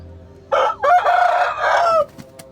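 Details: Rooster crowing in its coop: after a quiet start comes one loud, harmonic crow of about one and a half seconds, with a brief break early on, held level, then dropping away at the end, followed by faint clicks.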